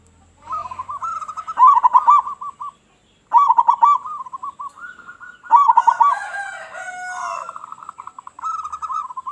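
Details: Big-voiced local zebra dove singing actively, a sound meant to attract other zebra doves: bursts of fast stuttering coos ending in rolling, wavering trills, broken by short silences, with a second lower cooing line overlapping near the end.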